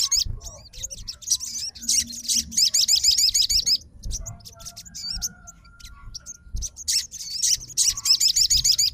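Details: Sogon, a fighter bird, answering at once on hearing another sogon's song: bursts of very high, thin, wavering notes in rapid trills of about three per second, broken by short pauses and scattered chips, over low background rumble.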